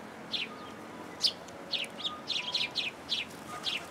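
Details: Sparrows coming to a feeding platform to be fed at a Tenmangu shrine on 14 February 2023: short, bright chirps repeated quickly in an irregular string, about a dozen notes, over a steady background hum.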